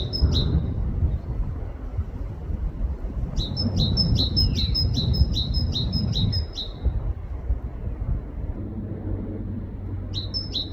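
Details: Great tit singing in a UK forest: a brief two-note phrase, then a longer run of about eight quick high see-saw note pairs, and another start at the end, over steady low rumbling background noise.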